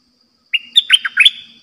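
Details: Red-whiskered bulbul used as a caged trapping decoy, singing a single dok taeng style phrase of bright, quick, liquid whistled notes that rise and fall, with a faint low hum behind.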